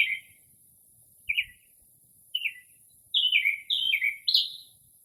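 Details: Northern mockingbird singing late at night in early spring outside a home, mimicking other birds: a sharp bright note, two single slurred downward phrases after long pauses, then a quick run of descending chirps, in quiet still air.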